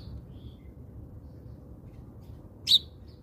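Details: House sparrow visiting provided food in South Africa gives a single loud, abrupt chirp near the end, with a few faint distant tweets before it over steady low hum.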